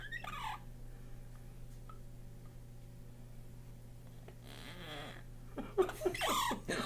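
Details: A pet parrot, angry while getting his nails trimmed, gives a brief, harsh, descending squawk of annoyance, a "mad noise". A person talks afterward over a low steady hum.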